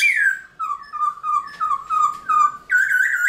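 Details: Black-throated laughingthrush, a caged songbird, in early-morning training song: a string of clear falling whistles repeated about every third of a second, steady in pitch, with a brighter, higher phrase at the end.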